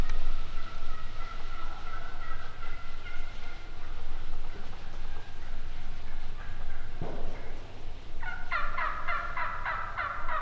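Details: Wild turkeys calling, with drawn-out, tonal notes near the start, a sharp downward sweep around seven seconds, then a burst of rapid, stacked yelping notes toward the end.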